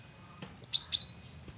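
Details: Lively male cinereous tit, a lure bird, gives a high whistled note that breaks into two lower, falling notes, one short phrase over a soft low hum.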